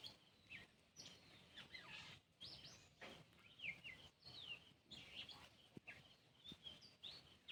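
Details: Faint, clear whistles and short slurred notes from an Oriental magpie-robin singing a changed tune once a nearby cat has left, delivered in irregular phrases amid outdoor background hiss and occasional clicks.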